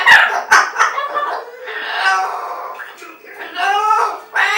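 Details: A pet umbrella cockatoo, trying to talk and call its owner from another room, gives a run of hoarse, speech-like warbling phrases that rise and fall, opening with two sharp squawks.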